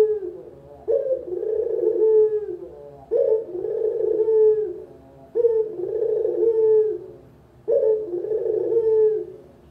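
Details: Local turtle dove lure/training song: low, soft rolling coos, each phrase ending in a rising note, repeated about every two seconds.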